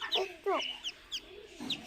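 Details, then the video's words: Muscovy duck chicks on a farm in Kamrup, Assam: short, high, downward-sliding peeps come in quick bursts, some clustered in pairs and triplets, separated by brief quiet gaps against faint background noise. "Muscovy Duck Chicks in my Farm Kamrup Assam"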